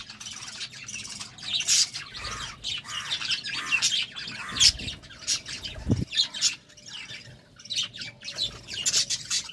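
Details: Budgies during courtship give rapid scratchy chatter mixed with sharper squawks and chirps, rising and falling in loudness, with one low knock partway through.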